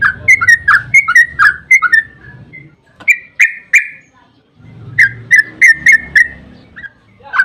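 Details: Lure song of the yellow-vented bulbul in the long 'ropel' style meant to make other birds respond: bursts of fast, bubbly, falling notes separated by pauses, with a faint low hum underneath.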